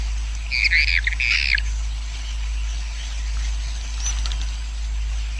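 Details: Roosting sound of a swiftlet colony, played so the colony grows quickly: two short bursts of high, buzzy twittering chirps in the first two seconds, then a steady low hum and faint hiss.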